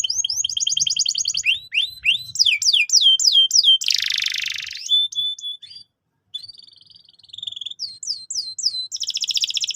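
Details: Canary singing a lure song for young canaries: a fast trill, a run of swooping whistled notes, a loud harsh buzz, a short pause, then softer trills and more swooping whistles.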